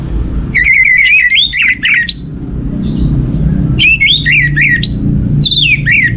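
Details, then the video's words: Orange-headed thrush song used to prompt other birds into singing: two bursts of varied whistled and warbling notes, sliding up and down, separated by a pause filled with low indoor hum. "Pancingan Burung Anis Merah ini untuk merangsang burung lain jadi gacor"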